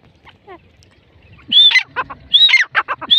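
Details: Partridge calling: after a quiet start with faint scattered notes, loud harsh bursts begin, each led by a high whistled rising-then-falling note and followed by grating syllables, repeated roughly every second.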